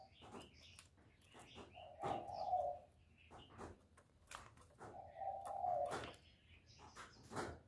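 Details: Spotted dove call used to lure birds into traps: two drawn-out, hollow coos several seconds apart, with frequent sharp clicks and tapping noises throughout.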